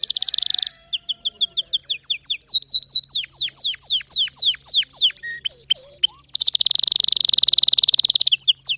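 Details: Canary song with varied tours: rapid chips, a run of descending whistled notes, a few bell-like notes and a fast high buzzing trill.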